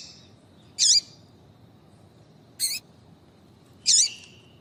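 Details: Three sharp, high chip calls at intervals of one to two seconds from a female double-collared seedeater, a call used to rouse a male into singing. The background is quiet.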